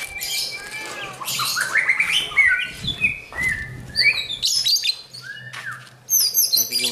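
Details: White-rumped shama being trained for champion mentality, singing varied clear whistled phrases that rise and fall, mixed with buzzy, scratchy high notes and short chirps in quick succession.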